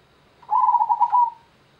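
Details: A local perkutut, the zebra dove, sings a single phrase of pulsing, warbled coo notes lasting about a second, level in pitch, with a soft tail at the end and little background noise.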